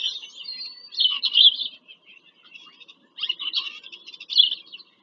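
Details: Bald eagles visiting their nest in Pennsylvania farm country, recorded 5 February 2023 by a live nest camera. Two long runs of shrill, squealing chatter are separated by a short pause.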